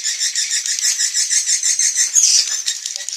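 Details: Swiftlets in an evening roosting lure: fast, high, rattling twitters repeated about three times a second, with a few sharper squeaky notes midway.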